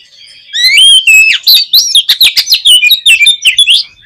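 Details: Oriental magpie-robin (kacer) in full song, used to provoke a pet bird into singing: a long, fast run of ringing whistles, trills and sharp chips, with no pauses.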